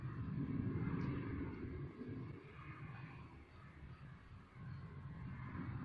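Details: Steady low engine rumble, like a passing aircraft or vehicle, fills the outdoor recording, with no animal calls.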